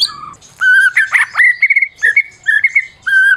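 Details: Prize-winning Medan White-rumped shama in a cage, its song played to rouse silent shamas: steady whistled tones and a burst of dense warbling, with clear notes held level and repeated after brief pauses.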